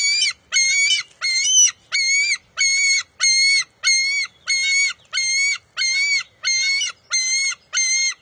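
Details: Eaglet of a bald eagle pair at its nest, June 23, 2021, fighting its mother for a fish: thirteen very regular, high, whining squeals, evenly paced about every two-thirds of a second, with no other sounds.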